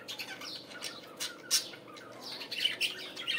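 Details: Budgerigars heard in the morning giving soft, scattered, high chirps and short raspy squawks, loosely spaced with brief sharp peaks, over a steady low background hum.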